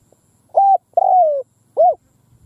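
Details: Decoy spotted dove cooing in a field to lure wild doves: a single phrase of a level coo, a long descending coo and a short arched final coo.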